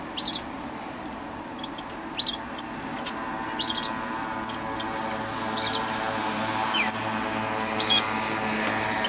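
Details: A great tit (Parus major) gives short, sharp ticking call notes in irregular bursts over a steady low hum; recorded 14 October 2012.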